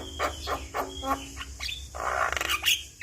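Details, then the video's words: Javan myna chatter played as a lure for a stressed bird: spaced harsh, rasping notes followed by a loud grating burst and a short high whistle. "Suara Jalak Kebo Gacor"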